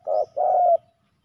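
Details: Spotted dove male during a fight at a ground decoy: one two-part coo, a short hoarse note then a longer burry note fading out.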